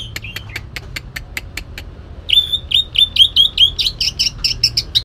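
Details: Cage-kept green leafbird from Kalimantan, song with rough bursts and tutored shrike-like notes: a run of sharp clicks, then a rapid series of loud, bright whistled notes repeated roughly every quarter second, rising slightly toward the end.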